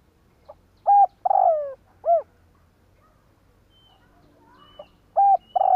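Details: Spotted dove used as a decoy bird, calling to attract wild doves: short rounded coos and a drawn-out falling coo in phrases separated by a silent gap, with faint higher bird notes in the background.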